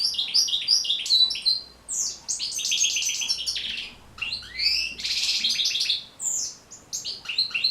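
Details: European goldfinch song for stimulating captive goldfinches: loud, rapid twittering phrases mixing bright chirps, nasal buzzes and sliding whistles, broken by short pauses and repeated at a brisk pace.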